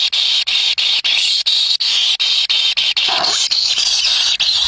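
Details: Kingfisher chicks in a wild nest compete for a black lizard brought by their parent. A dense, harsh, hissing buzz runs almost without a break, cut by brief silent gaps, with a short lower rasp near the end.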